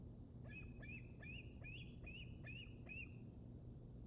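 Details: Juvenile bald eagle on the Decorah North Nest, Iowa, 7 February 2021: seven high, thin piping chirps with a slight rise, spaced about every half second, over constant low wind noise.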